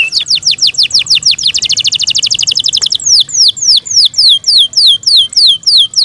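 A Yorkshire canary sings a bright, high song in phrases: quick repeated downslurred notes, a fast rolling trill, then slower, clear swooping whistles.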